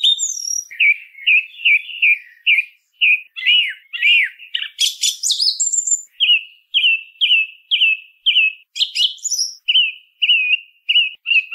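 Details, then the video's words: Singing song thrush: a brief high whistle, then a long string of short looping notes repeated in steady rhythm. A shrill scratchy flourish breaks the middle, then another run of repeated clear phrases follows. "SONIDO de ZORZAL COMÚN CANTANDO"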